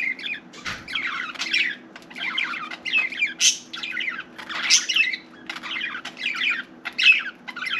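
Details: Caged pet budgie chattering indoors: quick scratchy warbles and sharp chirps in short bursts about every half second, with one brief flutter of wings near the start and a low background hum.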